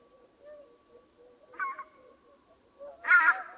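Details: Swans calling in the small hours before dawn: soft low murmuring notes, then two loud nasal honks, each a short harsh burst, the second louder and longer near the end, over a steady faint hum.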